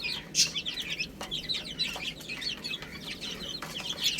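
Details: Chicks eating spinach produce a lively stream of high, quick peeps. Sharp pecking clicks punctuate the calls throughout.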